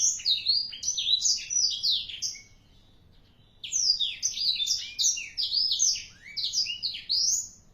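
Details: Four-month-old black-throated canary singing hard: a quick, high, chattering phrase of slurred notes, a quiet gap of about a second, then a longer run of bright warbles.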